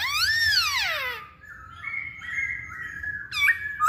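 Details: Masked laughingthrush singing as a lure for other birds: a long rising and falling arched whistle, then a steady warbling whistle at lower volume and a brief sharp flourish, with faint low background hum.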